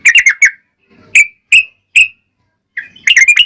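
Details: Yellow-vented bulbul lure song meant to provoke other bulbuls to answer: a quick bubbly burst of rich notes, then three separate clear chirps and another rapid chattering run.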